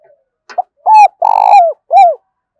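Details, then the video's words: Decoy spotted dove cooing to draw other doves to a trap. Brief rough notes lead into three strong, sustained coos, the long middle one dropping in pitch at its close. The calls ring out through a village. "Tiếng chim cu gáy mồi gáy gọi vang cả xóm làng"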